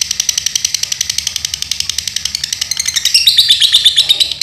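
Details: Lovebird from Pemalang, Central Java, Indonesia, possibly the Dunhil type, gives a long, rapid chatter of high, buzzy chips, about three per second at first, breaking into sharper whistled notes near the end.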